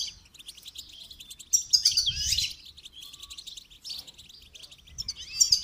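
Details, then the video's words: Singing goldfinch during training, giving rapid tinkling twitters and trills that swell loudly near two seconds, fade, then return at the end. "Motivational rewards for training goldfinch to song"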